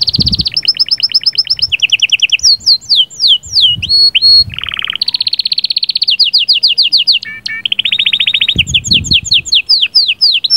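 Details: Varied canary song of sahsahat and batbatat phrases, played to bring the female into breeding condition: fast trills, strings of downswept notes, low buzzy bursts and a few soft low thumps.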